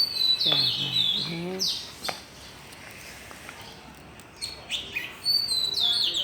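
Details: Birds chirping melodiously to greet the new day: bright high whistled and trilled notes come in bursts at the start and end, while a human voice speaks briefly early on and a faint background hiss runs throughout.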